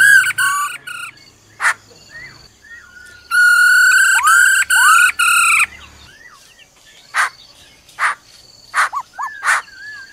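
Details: Female laughingthrush calling "ro ro" to excite a male. Opens with pulsed harmonic notes, then a long segmented rich note and a downslurred whistle. Scattered harsh bursts and short whistles end it.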